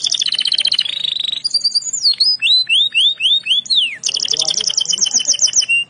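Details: Canary singing in captivity: rapid trilled rolls of repeated high notes, then a series of sweeping whistled slurs falling and rising, ending in another fast buzzy trill; no other sounds.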